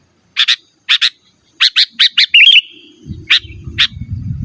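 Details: Sooty-headed bulbul, an energetic natural singer used to call rivals and lure wild birds in forest and as a master recording for caged birds; sharp paired chirps in quick bursts, a brief warbled note, then low rumbling background noise.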